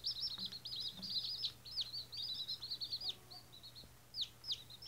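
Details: Newly hatched White Australorp chickens, first day: a group gives shrill, wavering cheeps, some sliding up and down, in rapid overlapping bursts, with a constant background hum.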